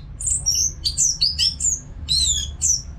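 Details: Captive orange-headed thrush in full song, used to prompt caged birds to sing: high, sweet whistled phrases, some sliding down and others looping, delivered in quick clusters over a faint low hum.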